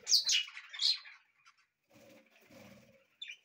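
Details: Budgerigars singing in a house aviary; one warbles a quick burst of bright, scratchy chirps for about a second, then softer chatter and a final short chirp.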